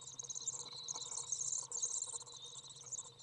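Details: Young common swifts, three in a nest box, being fed by a returning parent in June 2011: a dense, continuous stream of high, thin, trilling chirps, some notes briefly louder, with a low hum beneath.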